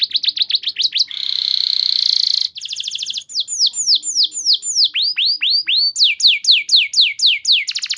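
A canary sings a long, loud song of rapid repeated chirps, a buzzy rattling trill, then series of sweeping whistled notes, about four per second.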